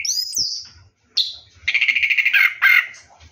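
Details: Orange-headed thrush singing while bathing at night: a high sliding whistle, a short pause, then a fast rolling trill of rapid repeated notes ending in a couple of louder slurred phrases.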